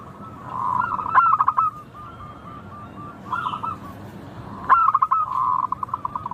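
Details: Zebra dove of local stock in song: clipped cooing notes broken by two loud stuttering clusters of quick notes, each followed by a smooth, rapid run of coos.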